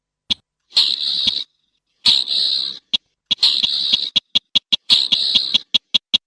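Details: Slaty-breasted rail calling: harsh, rasping bursts under a second long alternating with sharp, dry clicking notes that speed into a quick series toward the end, loud and close against near silence.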